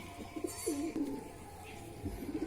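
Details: Domestic pigeon in a flock calling insistently at a newly arrived stray pigeon being lured down with food on a cold, foggy winter morning, giving low, throaty coos in short rolling bursts.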